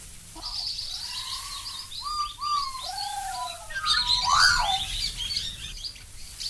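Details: Black-backed Magpie, recorded in Australia: smooth, arched fluty notes repeated in a flowing series. Toward the end they swell into a louder cluster of bright, harsh-edged chortles, all over faint hiss.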